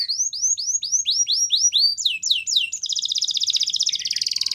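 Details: A canary, labelled a Russian canary, sings a fast series of rising whistled notes, about four per second, then breaks into a rapid, buzzy trill.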